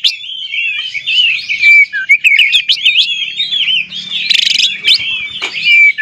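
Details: Oriental magpie-robin song used as a lure to provoke other magpie-robins into singing: a continuous, fast run of high whistled slurs and twisting notes, with brief buzzy rattles near the end and a faint low hum beneath.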